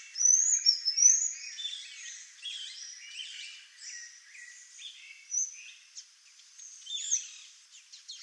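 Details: Sayaca tanager song: a busy, high-pitched twittering of squeaky slurred notes, loudest at the start, then a continuous jumble of thin chirps and short sweeps with a background hiss.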